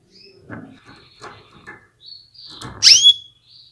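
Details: Calling female Atlantic canary, stimulating males to sing: quiet ticking and shuffling, then one loud, bright chirp that sweeps up and falls away near the end.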